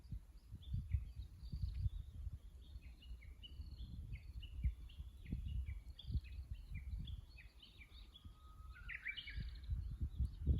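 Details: Japanese bush warbler singing at a tank road in Kusu, from a fixed camera on 25.04.24: near the end one long level whistle followed by a quick bright phrase, amid many short chirps from other birds and a deep rumbling background.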